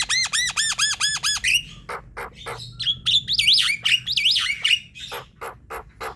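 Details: Javan myna song used to coax quiet, lazy birds into singing: opens with six quick ringing arched notes, followed by harsh rasps and a buzzy warbling phrase, then a string of dry clicking notes.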